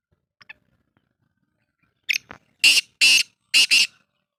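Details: Black francolin in Pakistan, recorded 18 July 2023, giving its call: two faint ticks, then a quick run of loud, harsh, scratchy notes, three strong rasping bursts packed into under two seconds, with no other sounds.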